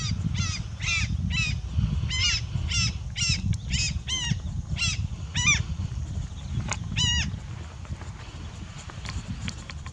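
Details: A pair of coscoroba swans at Chaco Lodge, 4 April 2018, gives nasal, trumpeting honks, about two a second for seven seconds, then falls silent over a low wind rumble.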